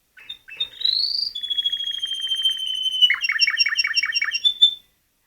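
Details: Pet canary, a male just brought home from a shop, singing indoors: a rising whistle, a long steady high note over fast trills, then a run of about eight rapid repeated buzzy falling notes.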